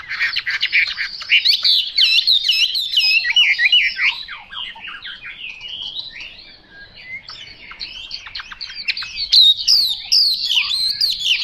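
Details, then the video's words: A Chinese hwamei pours out a long, continuous song of swooping whistles and quick rolling warbles. The song dips briefly in volume midway, then grows loud again with sharp, high notes. "Họa mi mộc dở"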